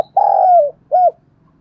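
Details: Spotted dove cooing: a long, steady, slightly falling coo, then a brief pause and a shorter second coo, both low and mellow, clear over a quiet background.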